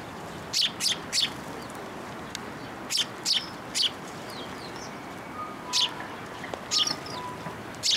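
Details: Sparrows coming to a feeding platform for food at a Tenmangu shrine, afternoon of 3 March 2023; sharp, bright chirps in quick clusters of two or three, with a few faint tonal whistles and a steady background hum.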